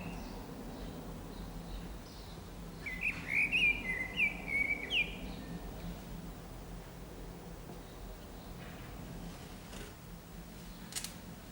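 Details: Common blackbird perched on an antenna in the San Martín town centre, Zamudio, Txorierri, Bizkaia, on 18 April 2019, delivering one short run of fluting, warbled notes, then quiet background hum.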